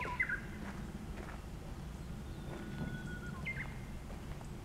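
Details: Japanese bush warbler singing close in front of the recorder: a sharp falling note, then a long steady whistle, then an abrupt rising-and-falling phrase, with faint calls of other birds and a low rumbling background.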